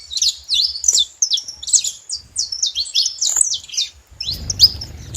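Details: Flock of wild saffron finches gathered at a feeding spot, giving high, choppy chirps and slurred notes in loose bursts with short pauses; a rustling low noise rises near the end.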